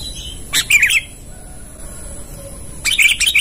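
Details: A sooty-headed bulbul used as a lure bird, calling to a rival: two quick bursts of bright, chattering notes about two seconds apart, with a thin steady high hiss behind.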